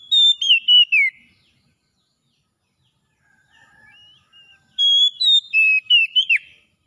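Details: Oriental magpie-robin (kacer) in the soft ngalas singing style, played as therapy to restore a bird that has stopped singing: two bursts of rapid, varied, clear whistled notes, sliding and warbling, separated by a few seconds of quiet, softer twittering.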